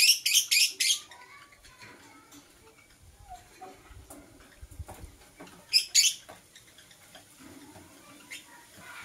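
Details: Green and blue masked lovebird calling in the morning: a quick series of four harsh, high chirps opening the recording, quiet scattered notes, then two more loud shrill chirps midway.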